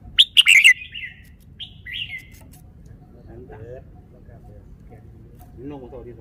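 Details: Caged red-whiskered bulbul showing off its song phrasing: a burst of loud, bright, high chirped notes in the first second, then two shorter slurred whistles, followed by quiet low murmuring sounds.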